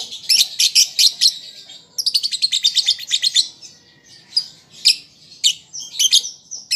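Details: Young lovebird learning to sing, played as a lure to set other caged birds calling: sharp, high chirps in quick runs, a short pause near two seconds, then faster buzzy trills and scattered single notes.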